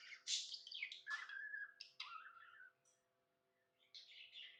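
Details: Tame budgerigar in a happy mood giving sliding whistled chirps and short buzzy warbles, a brief silent stretch, then a final scratchy phrase; faint low hum behind.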